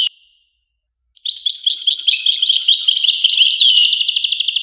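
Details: A lone thin note, a second of silence, then a European goldfinch bursts into dense, rapid, high twittering that builds into fast rattled trills.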